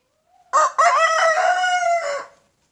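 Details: Young big brown rooster crowing loudly in a backyard in the morning: one harsh, harmonic-rich crow about two seconds long, a short opening note then a long held, slightly falling tone.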